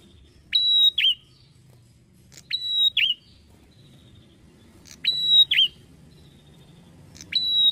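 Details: A bar-winged prinia sings steadily. Each phrase is a crisp tick, a long level high whistle and a short falling flourish. Four phrases come at roughly two-second gaps against a quiet, low background hum.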